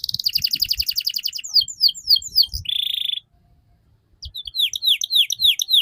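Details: Canary song used as a master recording to train young canaries to sing. Fast buzzy trills give way to a run of rising sweeps and a short steady buzz, then a second after a pause, more quick upward sweeps.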